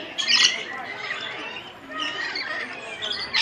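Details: Lorikeets at Columbus zoo's feeding exhibit with visitors holding cups; shrill screechy squawks at start and end, with softer chattering calls and a background murmur between them.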